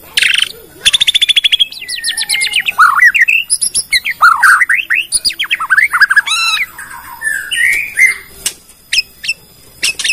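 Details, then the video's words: Bornean white-rumped shama song meant to lure other shamas into singing, displaying a full repertoire: rapid high trills, sweeping rising and falling whistles, a fast descending run and scattered sharp chips. "PANCINGAN MURAI BORNEO BONGKAR ISIAN,, MEMANCING MURAI LAIN JADI BUNYI"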